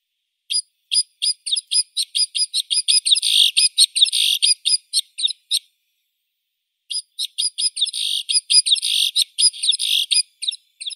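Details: White-winged snowfinch giving high, sharp chirping notes in a rapid irregular series of about two a second, briefly speeding into denser twittering. A short pause is followed by a second similar run.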